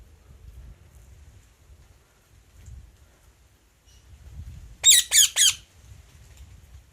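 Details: A short burst of three sharp, high squawks from an Indian ringneck parakeet, standing out against a low rumbling background and faint distant chirps.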